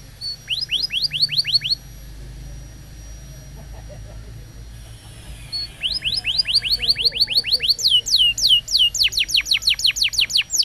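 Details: Canary singing for a training recording aimed at young birds and canaries that have stopped singing: quick runs of sharp descending whistles, a long steady high tone, then a dense, rapid repeated phrase near the end.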